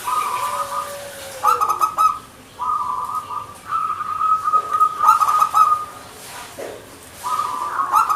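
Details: Perkutut, the zebra dove, singing vigorously in Indonesia: long rolling, bubbling coo phrases held for a second or more, broken by short pauses, with a brief lower sliding note near the start.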